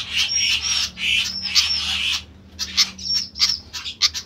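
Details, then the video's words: Noisy flycatcher alternating harsh rasping bursts with short upward-hooked whistles, then a brief pause before more scattered chips. "ADA APA DENGAN BURUNG SIKATAN INI KOK RIBUT"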